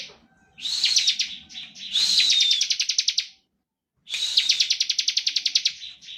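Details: Bar-winged prinia sings the standard ngebren style used to provoke other prinias to sing. Three long, high, buzzy trills of rapid even pulses, each lasting one to two seconds, separated by a brief silence.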